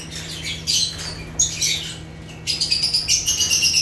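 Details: Chirping of African lovebirds (Agapornis): sharp, shrill chirps, sparse at first, then a fast run of rapid squeaky notes in the last second and a half, with a low background hum.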